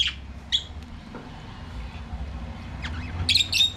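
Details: Budgerigars singing and playing in their aviary: a few short, sharp chirps and squawks spaced irregularly, with a steady low hum underneath.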